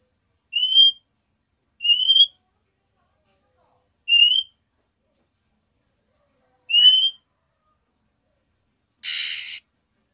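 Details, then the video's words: Female oriental magpie-robin giving nyiul calls to summon the male and stir his breeding drive: four high, rising whistled notes spaced one to two seconds apart, then one harsh, hissing rasp. "KACER BETINA NYIUL MEMANGGIL JANTAN"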